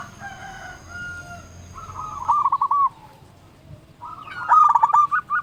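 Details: Local zebra dove calling out to rivals: after a steady faint tone, a short rolling coo phrase, a pause, then a louder stuttering burst of pulsed coos ending in a drawn-out note.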